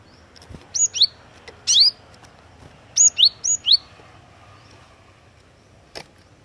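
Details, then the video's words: Cinereous tit (glatik watu) singing as a lure: a few high, swooping slurred notes in pairs and a triple in the first half, then near silence with one click. "KICAUAN GLATIK WATU PIKAT GACOR"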